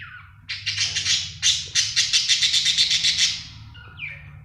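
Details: Budgie giving a rapid series of buzzy, harsh chirps, about three or four per second for nearly three seconds, followed by a soft squeak, with a constant low hum behind.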